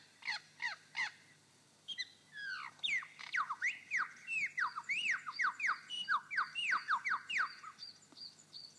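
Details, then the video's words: Male superb lyrebird in Victorian forest, Australia, giving his own call among mimicry: a few sharp clicking notes, a pause, then a long run of loud whistled downward and upward sweeps repeated rapidly about two or three per second. "This again is his own call."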